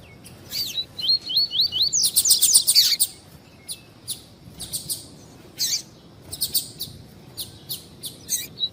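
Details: Double-collared seedeater, the coleiro of the tui-tui song style, a warm-up recording for tournament birds: a run of quick upslurred whistled notes, then dense sharp high chips and scattered short chirps repeated about twice a second.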